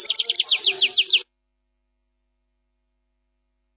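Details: Short burst of European goldfinch song in the 'plak mine' style: a quick series of about ten high, sharply falling chirps at a rapid, even pace, followed by silence.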